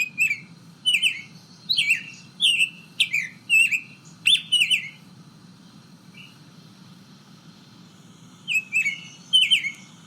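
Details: A Summer Tanager, a summer resident of Texas, sings one of several chirpy, whistled song variants that may differ east versus west: six or seven short rising-and-falling phrases, a pause, then two more, over a low hum.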